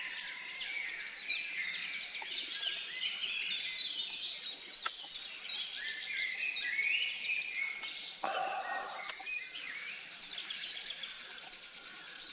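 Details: Male European robin courting a female that has just been fed, with a dense run of thin, high chirps repeated about three times a second over a steady background hiss.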